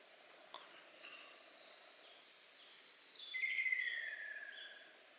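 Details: Ruddy kingfisher, nicknamed an old bird, recorded in 2014 after moving into dense, low-visibility woodland and starting to call: a fluty, descending rolling trill over about two seconds after fainter whistles, steady forest hiss, bill-snapping "pakon" clicks, faint human voices behind.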